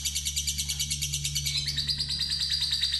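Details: Fighter lovebird in a lure experiment aimed at the longest ngekek trill: dense high rattling trill of fast regular pulses throughout, slightly shifting in pitch halfway, with a steady low hum beneath.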